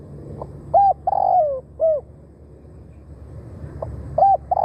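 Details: Decoy spotted dove calling for wild birds: a hooked note, a long rough coo falling in pitch and a short arched ending, followed after a pause by the start of the next phrase.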